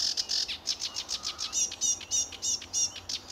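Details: Sedge warbler at RSPB Fowlmere, July 2013, singing in early morning sunshine; harsh chattering notes build into fast, varied whistled and buzzy phrases, delivered in quick bursts.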